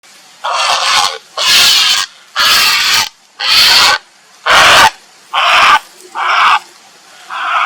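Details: Grey heron calling for a mate: a series of eight loud, harsh, raspy croaks, each lasting about half a second to a second, given roughly once a second with short silent gaps between them.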